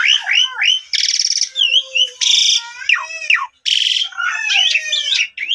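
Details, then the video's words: Asian pied starling played as a lure to get a sulking, silent starling singing again and showing its repertoire: a loud, varied run of slurred whistles, rising and falling notes, and harsh buzzy rattling bursts, with brief pauses between phrases. "Pancingan Maut Jalak Suren Pundung Langsung Gacor Dan Bongkar Isian"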